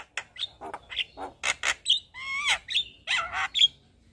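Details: Buffalo myna of the white-eyed form singing a mix of short rough chatters and drawn-out buzzy descending whistles, ending in a sharp high note.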